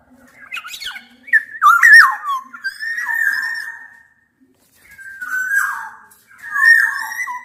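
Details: Black-naped orioles, Javan and Sumbawa males and females combined, challenging a rival: loud fluty whistles gliding down, then drawn-out nasal slurred notes, repeated in three bursts with short pauses and faint low hum beneath.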